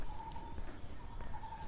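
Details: Lineated barbet by a tree at Angkaew Reservoir, Chiang Mai University, Thailand, on a Sunday morning, near Chiang Mai Zoo: low, hollow hooting notes in short runs, over a steady high insect whine and low rumble.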